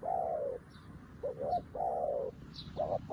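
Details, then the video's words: New decoy spotted dove calling in wild doves for trapping: drawn-out falling coos alternating with short clipped notes, several in quick succession, with faint high bird chirps in the background. "លលកថ្មីមែន តែធ្វើហៅព្រៃដូចធ្នាក់ចាស់"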